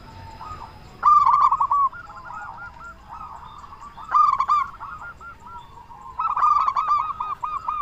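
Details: Loud-voiced local Zebra Dove, used to prompt silent doves to sing and to raise their breeding mood: three loud phrases, each opening with sharp clicks and running into rippling coos, with softer cooing between them.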